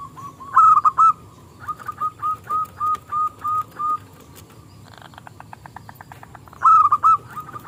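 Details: Local zebra dove singing actively, kept as a lure to draw rival doves into song: a loud rolling coo, then seven evenly spaced short coos, a dry rapid clicking stretch, and another loud bubbling phrase.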